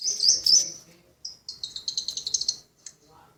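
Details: Long-tailed shrike master recording used to provoke replies and agitate other shrikes: high, sharp chirps, then a fast run of about ten scratchy repeated notes over roughly a second and a half.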